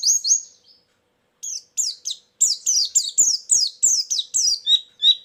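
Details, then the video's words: Lure song of a white-eye for trapping birds: two thin whistled chirps, a silence of about half a second, then a brisk series of high falling notes, roughly three per second. "suara burung pleci pikat+isian"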